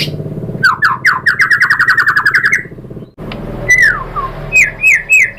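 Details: Lure song of a white-rumped shama meant to provoke other shamas to reply: a fast run of repeated buzzy rising notes, then a pause and a few separate clear downslurred whistles, with a faint low hum throughout.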